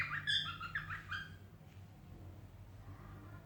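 A cockatiel gives a quick run of bright, warbling whistles that stops after about a second.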